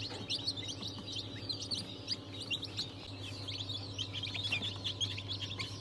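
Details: Chorus of many freshly hatched chicks, with breeds such as Ayam Cemani, Sultan, Wyandotte and İspenç, 22.01.2023: constant overlapping thin, high-pitched cheeps with a droning low mechanical hum beneath.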